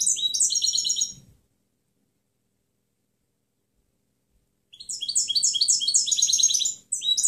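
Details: A European goldfinch's clean song, used to train other birds: a one-second phrase of rapid, sweet twittering, three seconds of silence, then a longer lively phrase of jingling notes and trills.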